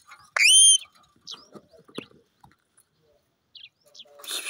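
An Indian ringneck parrot gives one loud, shrill whistle that sweeps up and holds, followed by faint scattered chatter and a harsh rasping burst at the end.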